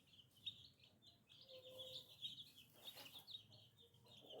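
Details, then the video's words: Baby chicks, new little chicks, giving a steady chorus of high, thin peeps that overlap continuously. A few soft low thumps and a faint hum sit underneath. "Chicken Free Sound || Funny Chicks baby"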